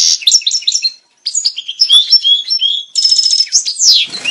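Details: European goldfinch, played to bring males and females into breeding condition: a fast, high twittering song of liquid trills, buzzy notes and clear slurred whistles, with a brief pause near one second and a descending sweep near the end.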